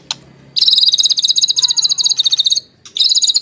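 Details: White-rumped shama lure song: a sustained dense, very fast high buzzing rattle lasting about two seconds with a faint lower descending whistle, then a short repeat of the rattle.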